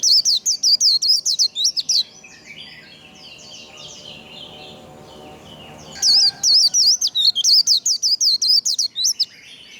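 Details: White-eye 'líu' song used to stimulate birds to sing: two bursts of quick, high, zigzag whistles, separated by about four seconds of fainter twittering and rustle in the background.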